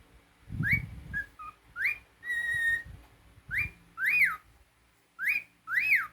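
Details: Pet cockatiel calling with sharp upswept and arched whistles, one held level whistle in the middle, amid some low indoor handling noise.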